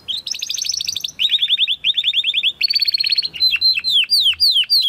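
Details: Spanish Timbrado canary from 2020 breeding singing a training song: fast rolling trills and buzzy tours shift pitch in quick succession, ending in a run of separate downslurred whistled notes.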